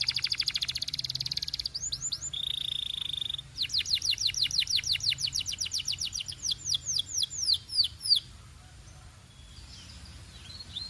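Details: Belgian canary singing, a fast trill of rapid notes shifting into a steady buzzy tone, then a series of loud descending sweeps repeated about three times per second before fading to quiet background.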